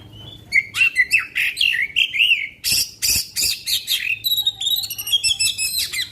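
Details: Kacer magpie-robin singing its 'long shot' song to spur other kacer: rich, varied whistled and warbled notes, several loud harsh rasping bursts, then rapid high twittering phrases continuing to the end.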